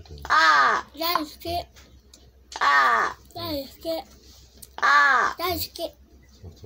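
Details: Large-billed crow that a person is teaching words: three loud, hoarse, drawn-out caws, each followed by short clipped vocal sounds, in a regular caw-and-reply pattern over about seven seconds.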